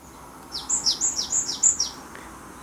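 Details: Japanese tit recorded in Gwangju, South Korea, giving its familiar typical song: five clear, high two-note phrases, each a bright whistle sliding down into a lower note, repeated quickly over about a second and a half in quiet surroundings.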